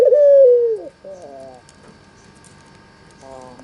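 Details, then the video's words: Albino Barbary dove with red eyes, used to lure quiet doves into answering, ends one falling purring coo, followed by softer stepped notes and a faint new start amid quiet background. "Pancingan AMPUH suara burung puter putih mata merah-Obat MANJUR untuk burung puter yang malas BUNYI"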